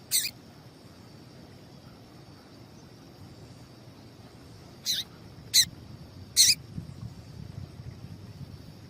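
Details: Female papa-capim seedeater piping, used to stir males into song: brief high chirps, one alone then a loose run of three in quick succession, with a constant thin high-pitched hum behind them.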